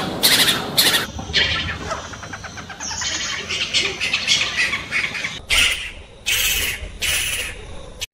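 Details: Spotted owlet, found throughout India up to about 1,800 m in open forests, orchards, cultivation and near habitation, giving harsh screechy chattering bursts in quick irregular runs, high-pitched and scratchy, with short pauses.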